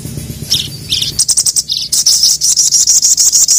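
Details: Sogon, or ruby-cheeked sunbird, a kept bird in full voice calling to provoke rival males: a few high chirps, then from the middle onward a steady stream of sharp, very high tweets roughly three per second.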